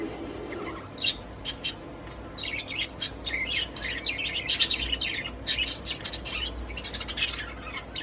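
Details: Budgies kept as pets in a cage chirp and squawk, a few isolated notes at first, then a dense run of scratchy, twittering chatter that carries on to the end.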